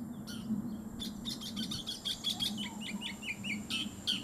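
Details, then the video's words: Oriental magpie-robin song: a string of short, clear whistled notes of varied pitch, delivered in a lively sequence over a steady low hum and faint background noise. "দোয়েল পাখির গান"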